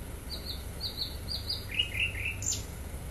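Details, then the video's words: Sikatan londo flycatcher in full song, giving high thin whistles followed by lower slurred notes and a sharp rising note at the end, low hum underneath. "sikatan londo gacor"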